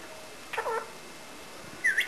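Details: Pet parrot talking indoors, calling out for a person and saying "Come on!": two short voiced, speech-like utterances, a lower mid-pitched phrase followed by a higher, sharper call, in a quiet small room.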